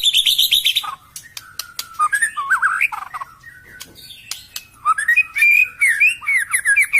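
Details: White-rumped shama song played as a lure to stir a silent, stuck caged bird after moulting: rapid trilled whistles, then clicks and varied rising and falling whistled phrases repeated in quick succession.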